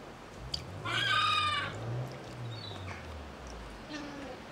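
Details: Gannet at a wildlife hospital at feeding time, one of five brought in after high winds to rest before release on the coast; a single harsh, nasal call with stacked harmonics lasting under a second, over a steady low hum.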